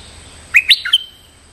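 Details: Stripe-throated bulbul calling to summon a resident territorial bird, as a lure: a single quick phrase of four liquid, warbled notes, the second highest, ending on a clipped note.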